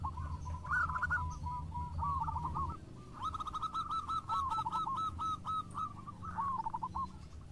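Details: Local zebra doves answering each other in song: faint, rapid runs of short cooing notes, some with rising slurs, partly masked by a strong low background rumble.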